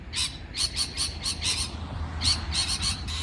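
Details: Rapid parrot chirping, with dense bursts of harsh, bright notes tumbling close together and a thin ringing whistle running through many of them, over low background noise.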